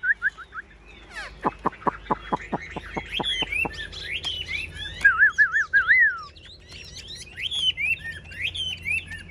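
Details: Caged Chinese hwamei at a Vietnamese singing contest: a sequence of sharp, evenly spaced clicks, then varied warbled whistles and rippling trills that grow louder toward the end.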